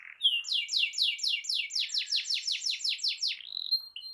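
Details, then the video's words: Canary song played to stimulate a silent canary to sing: a rapid trill of about fourteen repeated downward-sweeping notes, each roughly a quarter second, ending in a few thin high whistles. "Terapi Ampuh Burung Kenari Macet Dijamin Langsung Ikut Bunyi II Masteran Suara Burung Kenari Gacor"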